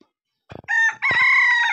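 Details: A chicken kept alongside pigeons at a village home gives a loud, harsh crow: a brief broken opening, then a long sustained drawn-out note.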